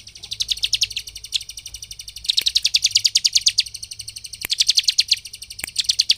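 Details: Ciblek, or bar-winged prinia, singing to spur other birds: dense rattling trills of rapid high chirps in three long phrases, with occasional clicks.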